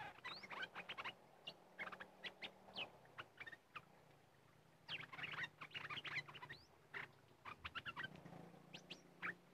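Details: Red-whiskered bulbul in an area said to hold fierce birds, heard during decoy luring: dense bursts of sharp chirps and brief rising whistles, coming in clumps with short gaps, over a low steady hum.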